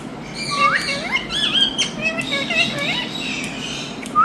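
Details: Indian ringneck parakeet, a green pet talking bird, giving voice-like chatter: wavering harmonic notes mixing rising whistles and short slurred syllables, then a loud upward squeal at the end.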